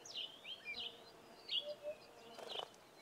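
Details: A Pririt batis (Batis pririt) on a farm in the southern Karoo gives thin, high whistled notes slurring downward, about five in three seconds, with a brief buzzy rustle near the end.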